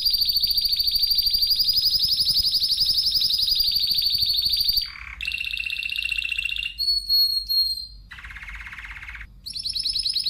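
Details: Spanish timbrado canary singing: a long, fast, rolling metallic trill held steady for five seconds, then abrupt switches to lower trills, a brief bell-like phrase and another high rolled passage.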